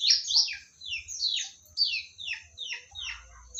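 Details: Magpie-robin of the Medan variety gives a string of clear, downward-sweeping whistles about every half second. Each note falls from high to middle pitch. Faint low hum and a constant thin high tone sit behind it.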